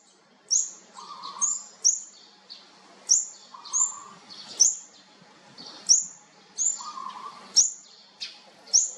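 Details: Olive-backed sunbird chicks being fed: thin, very high, sharp chip notes repeated roughly every half to one second, with a soft, steady lower hum appearing now and then in the background.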